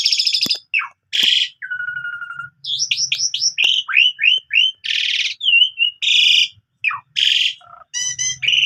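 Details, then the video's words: Captive Asian pied starling in full, varied morning song, used as a singing model for young canaries: clear whistles, buzzy bursts and a run of rapid downslurred notes, with a faint low hum in places. "Jalak Suren Gacor Full Isian"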